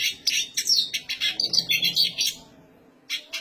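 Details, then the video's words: Black siskin singing vigorously in a high voice: a fast, dense run of bright, high twittering notes and buzzy trills lasting about two seconds, then a brief silence and two short, sharp chirps. "black siskin gacor suara tinggi!"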